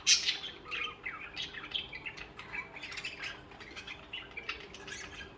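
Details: Pet budgerigars chirping and singing: a loud squawk opens, then steady soft warbling chatter of short, squeaky notes continues at moderate volume.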